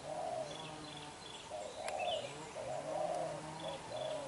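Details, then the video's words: Spotted dove, young and black-eyed, cooing strongly: repeated low hollow coo phrases, mixed with a soft low drone and brief high chirps from another bird. "Bổi Tơ mắt đen, đập gù quá dữ chim"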